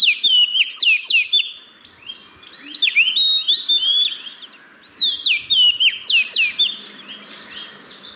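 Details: Song of an oriental magpie-robin, played as a lure to get reluctant caged birds singing: loud repeated downslurred whistles in rapid series, phrases grouped into bursts separated by brief pauses, with faint high chirps overhead.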